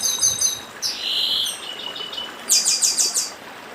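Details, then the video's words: Dedim song by a northeastern chestnut-bellied seed finch: high trilled notes, a sustained lower whistle, then a rapid series of sharp repeated notes, against running stream water. "Papa Arroz Dedim com Som de Riacho (Papa arroz do Nordeste)"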